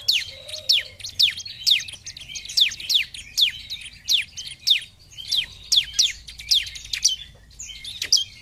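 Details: Bar-winged prinia in vigorous 'gacor' song, used as a lure: sharp, high downslurred notes repeated roughly twice a second in a steady, insistent run, with a low background hum.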